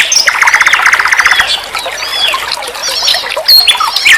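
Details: A common nightingale performs a rapid, evenly pulsed rattle lasting over a second, then softer scattered twitters and a few bright whistled slurs, from a tutor recording for songbirds.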